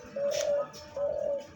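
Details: A new five-and-a-half-month-old male spotted dove, a deep-voiced decoy bird that has just begun calling, gives two long, smooth, low coos, each about half a second, separated by a brief pause with a faint click between them.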